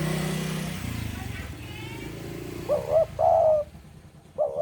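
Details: Javanese spotted dove in strong breeding mood, singing readily: after a stretch of speech and passing motorcycle noise, clear low hollow coos arrive in two close phrases, with one more starting at the end.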